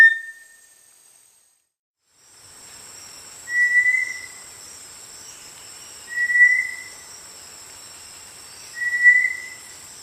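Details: Small dark tinamou of rainforest understory in tropical lowlands, favouring streamsides and dense undergrowth. After a fading tail, three clear, flat, mid-pitched whistles follow at even intervals of roughly two and a half seconds over soft background noise.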